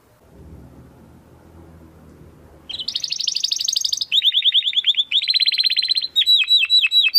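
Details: Domestic canary singing in the 'crystal voice' style for tutoring contest birds. Low rumbling background noise comes first, then a bright, dense high trill, followed by rapid chattering rolls and strong downward-swooping whistled notes.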